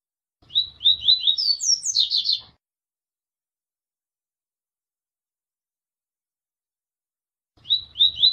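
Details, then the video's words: Double-collared seedeater in the Tui Tui song style from Paraíba, sung with intervals: a two-second burst of rapid, downslurred high whistles rising into sharper, higher notes, then a long silence before the next phrase starts. "Papa capim TUi Tui Da Paraíba com Intervalos"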